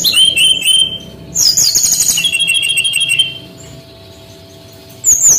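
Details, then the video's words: Singing Bali male brown-chested jungle flycatcher, recorded to train young birds: wavy whistles give way to a dense buzzy trilled passage. After a fading pause, a final high note follows. "SUARA BURUNG SRDC BALI ASLI JANTAN GACOR"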